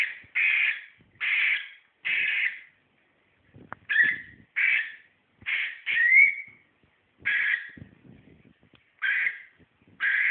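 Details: Cockatiel apparently disliking green socks, giving harsh, screechy calls in bursts of about half a second, repeated in an uneven series with short pauses; a few faint clicks and rustles between them.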